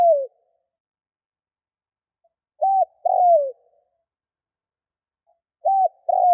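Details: Decoy spotted dove from Vietnam cooing to attract wild doves. It repeats a phrase of a short arched hoot and a longer falling coo roughly every three seconds, with nothing else audible.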